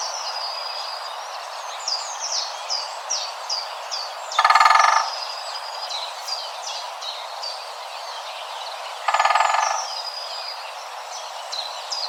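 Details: Great spotted woodpecker recorded in the wild in forest, giving two brief, very fast territorial drum rolls of about half a second each, about five seconds apart, while small birds chirp and twitter steadily in the background.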